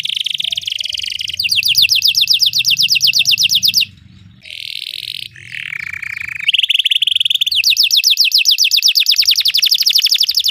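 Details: Belgian canary singing for training other canaries to sing: loud, high trilled song with rapid repeated rolling notes, switching between buzzy trills and sustained whistled tones, brief pause near four seconds, low hum beneath.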